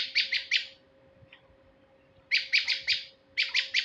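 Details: Male prinia giving fast, buzzy trills of three or four sharp notes, with a gap of more than a second before the next burst. Used for luring birds. A faint hum lies beneath.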